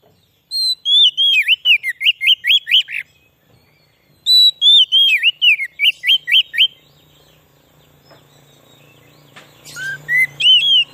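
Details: White-rumped shama song used to attract wild shamas: two matching phrases of a high whistle then fast swooping notes, later a faint low hum and a rising whistled phrase.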